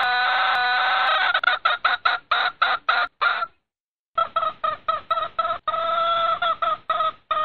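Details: Breeding-season red junglefowl hen summoning a rooster with a long tone that breaks into fast, rhythmic nasal notes, nearly four per second, a brief pause, then another uneven run of the same notes.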